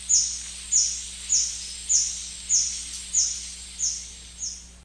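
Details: A White-bearded hermit along the Shiripuno River utters eight thin, high-pitched, dropping squeaks at a metronome-like pace, growing slightly softer toward the end, over a low steady hum.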